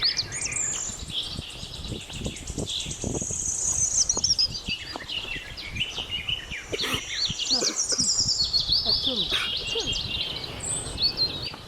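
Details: Birds chirping outdoors: busy overlapping high-pitched chirps, trills and quick sweeping whistles, many per second, with soft low rustling beneath.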